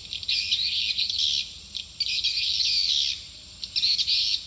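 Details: High, buzzy trilled chirrups of swiftlets, in three long bursts separated by short pauses, as a call to attract the birds to a nesting building.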